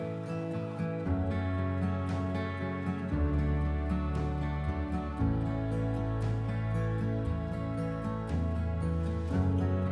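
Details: Soft, gentle instrumental music with layered sustained chords and plucked notes, with no animal calls.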